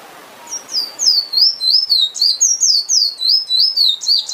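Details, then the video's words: Emprit finch delivering a rapid, steady series of sweet, high whistled slurs, roughly three to four notes per second, each dipping in pitch before the next begins. "Bird Finch/Emprit Singing Power"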